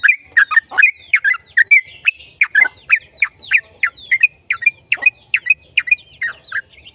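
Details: Lively yellow-vented bulbul song used to coax other bulbuls into song: a continuous, hurried stream of gurgling, downslurred whistles and chirps with hardly a gap.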